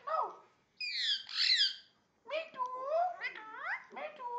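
An Indian ringneck parakeet talks in a speech-like voice, then gives harsh, rasping squawks and rising, bark-like notes in a small indoor room.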